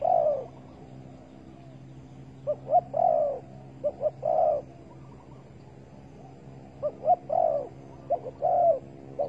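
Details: Spotted dove at a bird-trapping site baited with bare bait, 15 August 2020, giving soft low coo phrases: quick paired short notes then a longer falling coo, repeated about every two to four seconds.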